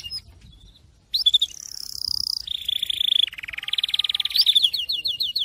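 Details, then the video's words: After a short quiet pause, a Syrian canary sings a sustained high whistle, a smooth rolling trill, then a row of evenly spaced repeated notes. "تغريد كناري السوري"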